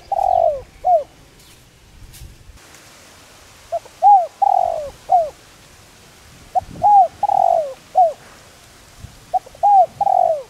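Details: Spotted dove repeating its decoy-luring call. The end of one phrase is followed by three complete deep cooing phrases spaced about three seconds apart. Each phrase has a long descending middle coo. A couple of clicks come early on.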